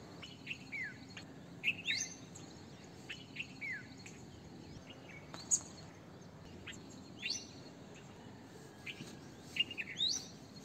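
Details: Red-vented bulbul calling with bright, clipped chirps that dip in pitch, plus rising whistled flicks, grouped in short bursts separated by brief pauses against soft background noise.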